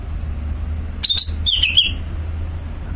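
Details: Greater green leafbird, a caged songbird, delivers one brief phrase of sharp whistles that step and slide downward in pitch, then falls silent against a low background rumble.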